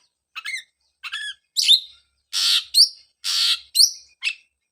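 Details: Oriental magpie-robin sound meant to restart singing in a bird silent after moulting, mixing short whistled notes with two long harsh, hissing rasps, each followed by a bright upslurred whistle.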